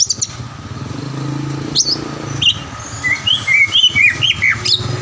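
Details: Lure song of the greater green leafbird (cucak ijo), meant to spark a rival bird's singing: after a noisy low rumble, a quick sequence of sharp whistled notes and chirps follows.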